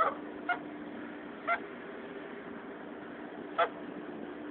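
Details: An angry Canada goose, a mother guarding her goslings, gives short, harsh nasal honks at uneven intervals, about five in four seconds, over a steady low hum.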